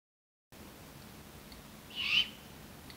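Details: Great horned owlets (Bubo virginianus) begging at about 12:30 a.m. outside a bedroom window in Duluth, Minnesota; one of three owlets demanding food gives a single raspy, hissing half-second screech over faint night hiss.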